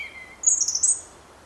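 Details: European robin singing: a brief high, thin phrase of rapid twittering notes after a faint whistled note, clear and close against a quiet background.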